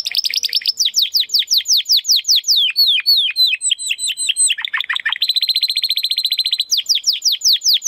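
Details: Belgian canary singing 'estralando': long series of steeply falling whistled notes at a steady pace, a tangle of lower rolls, then a quick even trill and more falling notes.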